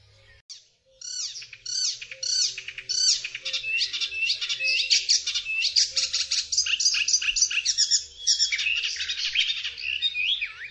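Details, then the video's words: Icterine warbler (Hippolais icterina) delivering a fast, varied jumble of squeaky, chattering and mimicking phrases, with sharp notes and nasal whistles pouring out without pause. "Odgłosy i dźwięki jakie wydaje Zaganiacz zwyczajny"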